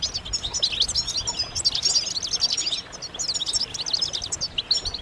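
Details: European goldfinches calling as a group, used to stimulate males into song: a continuous, bright jumble of quick, high chirps and liquid twitters with little background noise.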